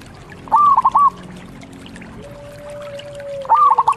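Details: Local zebra dove in song gives two brief bursts of four rapid, clipped coos, with a faint, long, steady whistled tone sliding slightly downward between them.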